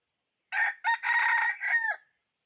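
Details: Red junglefowl decoy rooster calling to wild fowl in 2021, giving one clean complete crow: clipped opening notes, a long level central phrase and a drooping finish, against silence.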